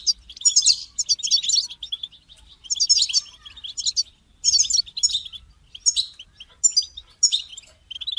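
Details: Caged European goldfinch song used to motivate another goldfinch to sing: rapid twittering, tinkling bursts high in pitch, delivered in phrases of about one second separated by short pauses.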